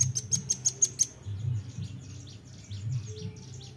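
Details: Nuthatch lure call: six sharp, high, evenly spaced chips in quick succession open the recording, then fainter distant chirps over a low background hum.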